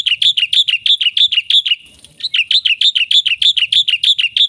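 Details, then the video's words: Loud, steady gacor chatter of a black-winged myna with isian fill: harsh chirps repeated roughly three per second, briefly pausing mid-phrase before the same rhythm returns. "suara jalak putih gacor full isian"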